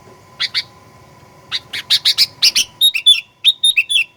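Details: Sooty-headed bulbul singing aggressively as a lure. Two soft chirps open, then a fast run of harsh clipped notes leads into a series of clear slurred whistles, over a low steady background hum.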